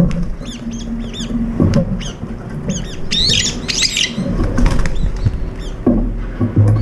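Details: Several brown-eared bulbuls share breakfast and fight over food, chasing one another off. Faint arched squeals in the first seconds give way to a harsher, noisy burst of calls mid-clip, all over steady low background noise.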